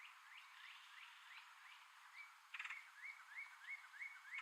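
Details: Male red-headed woodpecker calling while hiding food in tree holes: a quick series of short upslurred chirps, about three per second, growing louder and more clipped in the second half.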